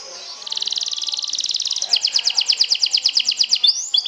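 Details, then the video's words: Canary lure song meant to provoke other canaries and ready a bird for contest again: after a thin high note, a fast buzzy trill of repeated high notes runs steadily, shifting at mid-clip into louder, slightly slower pulsed notes. "PIKATAN KENARI, PANCING EMOSI, TERAPI STRESSS, SIAP GANTANG LAGI"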